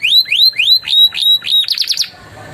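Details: Canary in full song with Javan tesia and bar-winged prinia phrases, used as a tutor recording: repeated bright upslurred whistles, a few level piping notes, then a short rapid burst of trilled notes.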